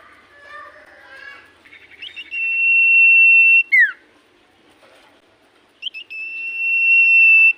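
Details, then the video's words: Common iora in full voice, whose song is said to make any other iora answer at once: soft chattering notes, then a long, steady, high whistle held over a second, a sharp downslurred note, and another long level whistle. "Burung sirtu cipoh gacor hitungan detik burung cipoh apapun pasti Langsung nyaut"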